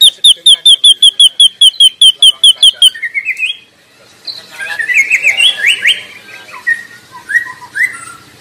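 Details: White-rumped shama singing in its natural habitat: a fast run of about fourteen identical high whistled notes, followed by scratchy, buzzy warbled phrases and fainter twittering.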